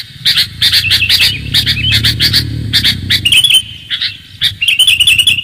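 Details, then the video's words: Clear sooty-headed bulbul lure call: spaced clusters of bright chirps, then smoother warbled phrases, with a low background hum beneath. "pikat kutilang suara jernih"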